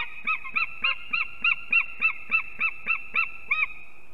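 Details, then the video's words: Early morning on 8 March 2024 at an eagle nest in Ķemeri, Latvia, during the arrival and mating of two unringed adults. About twelve evenly spaced, loud yelping notes are heard over four seconds. "Ķemeru Eagles~🎵 Morning Chorus, Arrival Mating & Singing"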